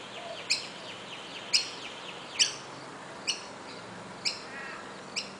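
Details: Rainbow lorikeet at Coffs Harbour, New South Wales, Australia: sharp, screechy high calls repeated roughly once a second, six loud bursts over steady background hiss.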